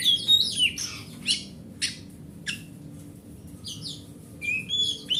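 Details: Kacer, the oriental magpie-robin, sung as a lure for magpie-robins that will not sing; loud clear whistles and harsh rasping squawks, a quieter middle stretch, then bright whistled phrases return.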